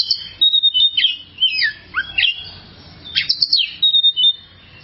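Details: Kacer (oriental magpie-robin) singing: clear high whistles broken by steep downward slurs and sharp chirps in separate bursts, with short gaps between phrases.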